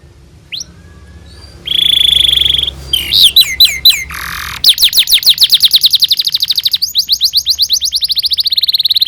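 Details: Singing canary on a tutor recording for young canaries: a thin upslur, a loud buzzy rattle, quick sweeping chirps, a low nasal buzz, then a long, fast, even roll of high repeated notes.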